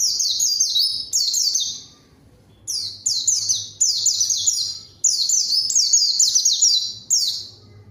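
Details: Lure song of a vocal white-eye calling out rivals so untrained birds answer and sing along; repeated rapid bursts of piercing, falling whistled notes, roughly seven phrases in eight seconds with brief gaps.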